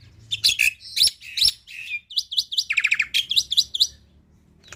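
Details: Black-winged myna teaching song with 'isian tembakan' fills: sharp bursts at first, then quick hooked whistles and a short buzzy rattle, ending in silence.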